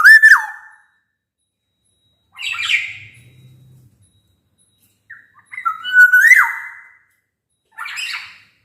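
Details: A black-naped oriole sings, a recording meant to prompt silent orioles to call. Fluted descending whistles alternate with harsher nasal squawk notes, spaced by short pauses, with a faint low hum in between.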